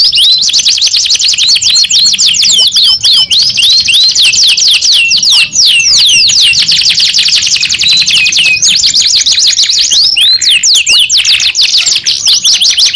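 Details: Canary (kenari), labelled a 'paud' bird singing in '2 in 1' style, pours out a loud, unbroken song of rapid high trills and fast sweeping whistled notes, dense chattering phrases running throughout with only brief breaks near ten seconds.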